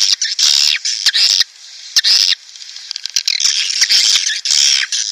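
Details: Swiftlet attraction sound for a nest house, aimed at breeding birds or colonies: long loud screechy squawks alternating with sharp clicks, a brief quieter chattering stretch in the middle.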